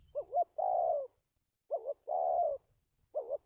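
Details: Decoy spotted dove used in a trap, dated 1/3/19, alternating short wavering double notes with long steady coos in a stuttering 'cà lăm' rhythm. A faint low rumble sounds at the start.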